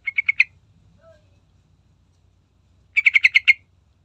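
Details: Sooty-headed bulbul lure sound used to get other birds singing: a run of four crisp chirps, a quiet pause, then a louder burst of six rapid, even notes.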